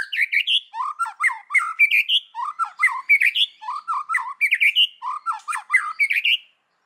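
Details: White-rumped shama singing its forest-voice style, 'kéo thuốc lào' phrasing: clustered phrases of low gurgling notes alternating with higher rising whistles, repeated roughly every second, ending abruptly.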